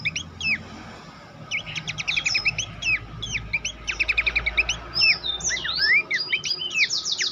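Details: Horsfield's babbler master song for contest birds: a quiet start, then a busy stream of sharp ticking notes, whistled slurs and fast trilled runs building toward the end.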